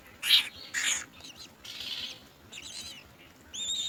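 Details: Common mynas foraging for insects for their young give two short, harsh, rasping bursts, followed by quieter scratchy notes and a brief high whistled phrase at the end.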